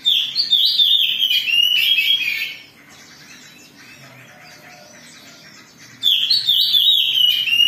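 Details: Agitated Oriental magpie-robin song used as a provoking lure, two bursts of fast, high, chattering and whistled notes, each lasting over two seconds, separated by roughly three seconds of quiet.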